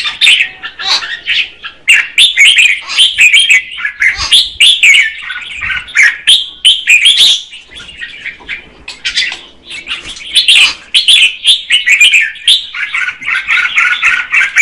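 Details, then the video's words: Red-whiskered bulbul female singing to stimulate a male: extended medley of chattered chirps and warbled phrases, delivered in loud bursts with short quieter gaps. "Chào mào mái hót kích trống Red-whiskered female"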